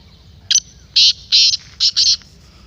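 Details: Black francolin voice, played to rouse a kept teetar into calling. It gives one strident phrase: a short clipped note, then four loud grating notes, the last two run close together.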